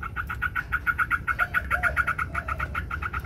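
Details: White Chinese hwamei in competitive song, wings spread: a fast, steady run of clipped, bright notes repeated many times per second, with faint lower slurred notes in the background.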